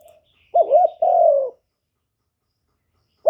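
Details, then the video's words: Spotted dove used as a lure for wild doves gives a single low phrase, a quick undulating coo then a long sagging one, followed by silence and the start of another note at the very end. "Cu gáy mồi hạp bổi nghe là gáy, chim cu đất, cu gáy mồi cây, tiếng chim cu gáy gọi, cu thúc kèm"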